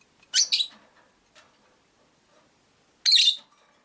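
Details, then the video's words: Rosy-faced lovebirds, five caged birds near a window: two short, harsh high chirp bursts about three seconds apart, with faint low background rumble between them. "Lovebird Chirping Sounds"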